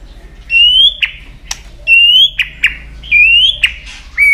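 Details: A tail-flicking White-rumped shama sings to challenge a rival. Clear, slightly rising whistles come about once a second, each followed by sharp clicks, with brief quiet gaps between the phrases.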